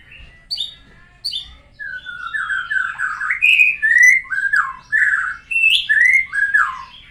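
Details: White-rumped shama, called Murai batu locally, learning new sounds after moulting: a varied run of loud whistled phrases, slurred and falling between middle and high pitch, with sharp high notes at the start.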